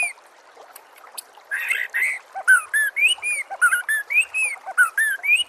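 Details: Song of a white-rumped shama, played to get other shamas singing; a rough chatter followed by a string of clear, arched whistled notes with scattered high accents.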